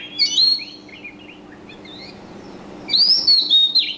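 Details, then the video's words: Bright high bird chirps at the start, a soft run of quiet twitters, then a loud clear rising-falling whistled phrase near the end, with a faint constant low hum. "Wonderful Birds Chirping Sound / Suab Noog Quaj Zoo Heev"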